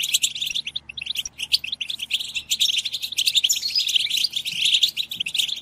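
Several European goldfinches sing together in a dense, continuous tangle of rapid liquid twitters, tinkling trills and buzzy notes, high-pitched and overlapping throughout.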